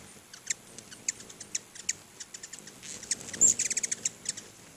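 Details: Hummingbirds at two feeders in front of a house give sharp, high chips and ticks at an irregular pace, some doubled, with a brief squeaky twitter near the end.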